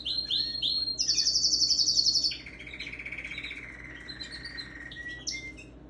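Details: Singing pet canary, December 17, 2021: rapid high trill that steps down after two seconds into a lower, softer rolling trill, followed by scattered thin whistled notes and a short final phrase.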